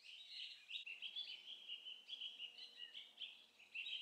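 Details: Male and female orange-bellied leafbirds feeding on tree cotton nectar in Hong Kong give a continuous, high, chattering twitter of quick varied notes, with short pauses every half second or so, over faint background hiss.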